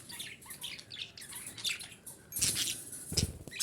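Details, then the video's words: Chirping of a female budgerigar, used to put birds into breeding condition: quick, high, squeaky notes in an uneven stream, with a couple of brief rustling thumps toward the end. "DİŞİ Muhabbet Kuşu Sesi - Muhabbet Kuşu Kızıştırma"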